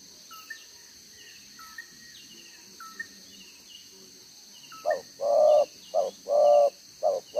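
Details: Spotted dove decoy of wild stock, double spotted collar, 'gáy 1 hậu' cooing style, June 2023: nearly five seconds of only faint high chirps from other birds, then loud low coos in short-long pairs begin.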